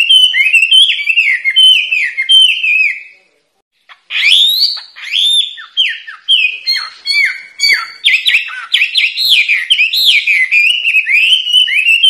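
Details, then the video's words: Training song of a white-rumped shama for caged songbirds. A quick run of downslurred whistles breaks off into a second of silence, then resumes as a dense, varied stream of loud whistles, chips and sharp trills. "masteran murai batu burung wambi gacor"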